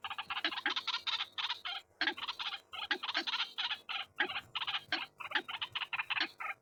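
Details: White-breasted waterhen calls used as a lure: fast, harsh, repeated croaking notes in rhythmic bursts, grouped phrases of several rasping pulses with brief pauses, a lower note recurring about every second.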